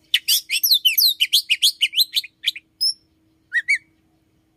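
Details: Morning song of an Oriental magpie-robin, a fast jumble of bright chirps and downslurred whistles for about two and a half seconds, then a few spaced, clear whistled notes after a pause.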